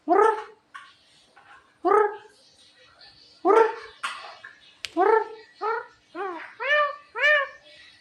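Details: A clever, funny Javan myna delivers a series of hoarse, bark-like notes, the first few slow and spaced, then quicker downslurred yelps packed closer together toward the end, mixed with faint clicks.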